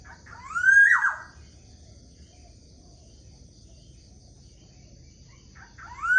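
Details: Morning calls of a black-naped oriole: a single rich, rising whistle that breaks into a slurred descent, then about five seconds of near silence with a faint constant hum before the next whistle begins.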